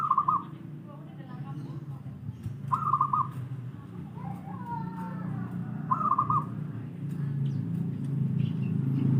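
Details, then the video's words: Local wild zebra dove, recorded for training doves that rarely sing: brief vibrating coo bursts at a steady mid pitch, three phrases spaced roughly three seconds apart, with constant low rumbling noise underneath. "masteran suara burung perkutut lokal alam malas bunyi"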